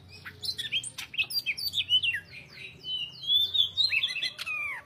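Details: Greater green leafbird, a lively, gacor singer, pouring out a rapid run of sweet whistled and slurred notes, rising and falling phrases packed closely together, ending in a sharp downward sweep; faint low hum underneath.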